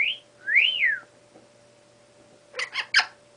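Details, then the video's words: Baby Congo African grey parrot, a five-month-old female pet not yet talking, practising sounds: a short high whistle, then a clear arched whistle rising and falling, followed by three quick clicky chirps. "African Grey Luna - trying to talk and make sound effects!"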